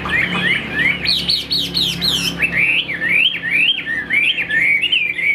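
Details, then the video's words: Kept Chinese hwamei in full song: quick, loud whistled slurs that repeatedly rise and drop in a zigzag pattern, with a brief squawk-like note and a faint low hum underneath. "Tốc độ mỏ quá ok, đầu mặt đẹp chất giọng cực kỳ hay | Họat Họa Mi"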